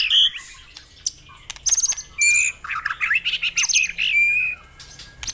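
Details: White-rumped shama song meant to stimulate caged birds: sharp high chips and short notes, then a run of bright varied whistles with a few sustained level tones, broken by short silences.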